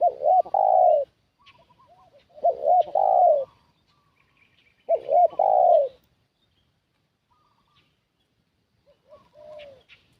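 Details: Decoy spotted dove calling to attract wild doves: three strong cooing phrases of two short notes and a long falling coo, evenly spaced, then a lone quieter coo near the end after a pause.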